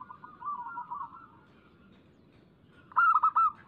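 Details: Local zebra dove song played as a lure to set other doves singing: a faint low stuttering coo sequence, then a loud burst of quick rolling coos near the end.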